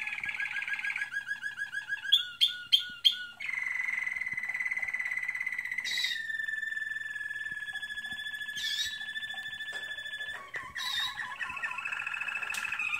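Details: Song of an American Singer canary in training, a chain of tours: fast stuttering trills, sharp clicks, then long steady whistled rolls that shift pitch in steps, each held two to four seconds.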